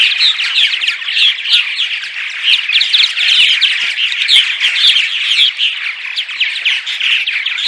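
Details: Steady colony chatter from purple martins in morning vocalizations for attracting martins: a thick wall of gurgling, creaky chirps and burry notes from several birds, continuous for the whole stretch.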